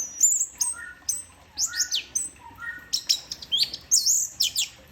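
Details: Orange-headed thrush in "teler" song style, alternating high sweeping whistles and rapid trills with lower clear whistled notes, phrases following each other almost without pause.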